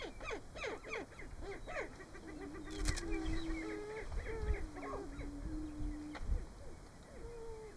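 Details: Greater prairie-chickens at a March lek in Nebraska during their mating display: dense overlapping cackles and clucks, several low drawn-out booming moans in the middle, and a sharp clap-like sound near three seconds.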